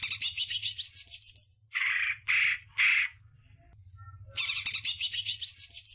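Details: Greater green leafbird song used for training other birds: fast scratchy chattering notes, then three lower, throaty, rasping calls, then the quick chatter returns, over a soft low hum.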